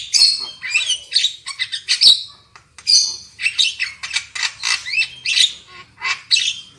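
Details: Lure recording of black-winged myna song to prompt loud singing: a continuous stream of loud raspy squawks, chatters and buzzy whistles, closely packed and irregular, with one brief gap near the middle.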